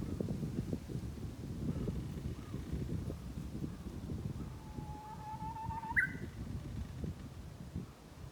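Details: Spring song of a Japanese bush warbler near a countryside mountain trail: a soft held whistle slowly rising in pitch, ending in a sharp higher flourish, with a walker's footsteps rustling throughout.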